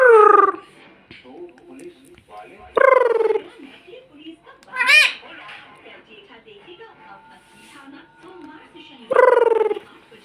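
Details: Pet green ringneck parrot that talks and says mummy, kept indoors: loud hoarse rising syllables at the start, near three seconds, at five seconds and again at nine seconds, with faint murmuring between.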